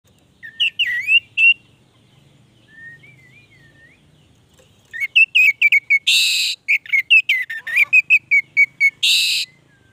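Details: Orange-headed thrush, a lively long-running song: loud whistled phrases around the upper-middle range, rising and falling notes, a quiet warbling passage, then rapid repeated whistles mixed with brief harsh bursts.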